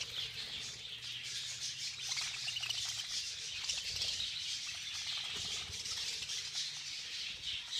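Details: Budgerigars feeding in a frenzied group give continuous overlapping chirps and squeaky warbling, with a low hum in the first seconds and light pattering.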